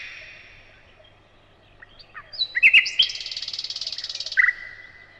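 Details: Quiet start, then a nightingale bursts into sharp notes and a long buzzy rattling trill, closing with a loud doubled whistle.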